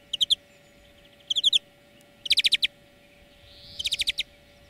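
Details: Trilled song of a European greenfinch, used as a lesson for training birds: four short bursts of rapid chirping notes, about one second apart, softer in places, with a steady low hum.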